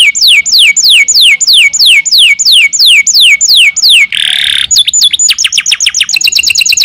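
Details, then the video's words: Canary singing, offered as a lure to get quiet canaries singing: a train of steeply falling whistles repeated about three per second, a brief harsh buzzy burst, then fast clipped trills. "Sekali putar kenari yang malas bunyi langsung nyaut di jamin gacor 100%"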